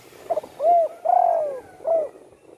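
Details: Spotted dove kept at home after its wing was broken by a shot, now singing freely: a soft stuttered lead-in, an arched coo, a long falling coo, then a short closing coo.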